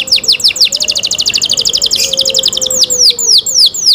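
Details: Canary performing cenkok song, mixing falling whistled notes with a long rapid chattering trill in the middle, then returning to loud swooping downslurs.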